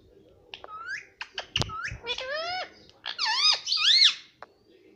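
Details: Pet parrot, a green ringneck kept indoors, talking in a squeaky, high voice: a series of rising and falling whistled syllables that imitate speech, with a few clicks and handling noises in a quiet room.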